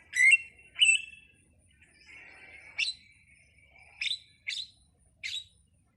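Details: Jalak, a starling, singing ala anak rimba: two loud whistled notes, a thin drawn-out warble, then several sharp high chips spaced about half a second apart.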